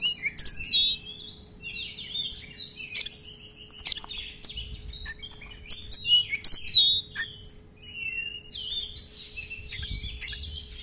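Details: Oriental magpie-robin in loud, varied song with long rolling runs and many mixed phrases: sweet whistles, rising and falling slurs and sharp chip notes at high pitch, with brief pauses between bursts.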